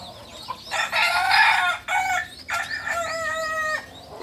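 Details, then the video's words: Novice Balenggek rooster, a native chicken of Solok, West Sumatra, giving its kukuak balenggek crow: a loud, harmonic-rich opening phrase, then a short break, then a longer series of stepped, tiered syllables ending level. "Ayam kukuak balenggek PEMULA ayam asli solok sumbar"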